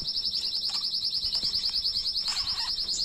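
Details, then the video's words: Domestic canary tutor song for teaching chicks: one continuous, fast, high trill of evenly repeated notes throughout, with faint rustling beneath. "تغريد أصلي لطائر الكناري بدون أخطاء لتعليم الفراخ Original tweet of the canary bird without errors"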